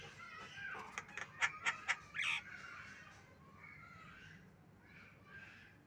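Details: Javan myna, known locally as jalak kebo, uttering a burst of rasping, grating notes in quick succession with one longer harsh squawk, followed by fainter nasal notes and low background hum.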